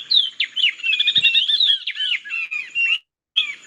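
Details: Oriole Warbler duet, a species mostly found in thickets close to water bodies: rapid, ringing whistled notes in quick alternating phrases, rising and falling, with a brief pause before the calling resumes.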